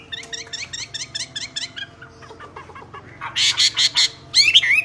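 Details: Common hill myna singing loudly: a run of quick repeated rising notes, then louder harsh broadband bursts and a few whistled slurs.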